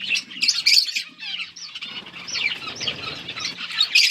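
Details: Budgerigars feeding together: a busy, overlapping chorus of chirps, squeaky twitters and short rising whistles, with a faint low hum underneath.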